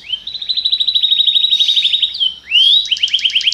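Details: Belgian canary singing a popular song: a long, fast, even trill of bright chirped notes, a brief dip, then a rising slurred whistle leading into another rapid repeated trill.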